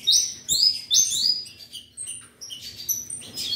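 An Ultramarine grosbeak sings a quick run of high, clear whistled notes, some sweeping upward and some slurred, with fainter chirps trailing after.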